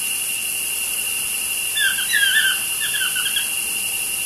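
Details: A pair of toucans chatting outside studio windows: a burst of squeaky, slurred croaks in quick runs, set against a continuous loud hiss.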